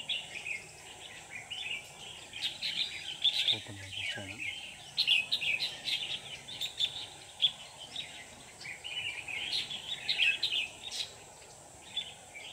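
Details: Decoy red-whiskered bulbul calling wild birds toward a trap, recorded 24 November 2018; short lively warbled phrases repeat every second or two, with a brief spoken voice near the start and constant background hiss.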